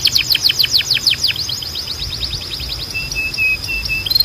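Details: Canary training song meant to stimulate singing: a fast cascade of descending chips that gradually slows, then a series of short, level whistled notes. A steady thin high tone continues in the background.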